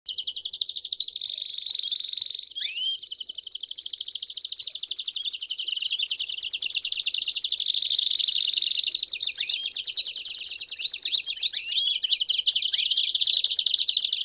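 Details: Canary song played to stimulate singing and train young birds: a continuous high rolling warble of rapid trills, some whistled notes and upward-sweeping slurs, rising slightly in loudness toward the end.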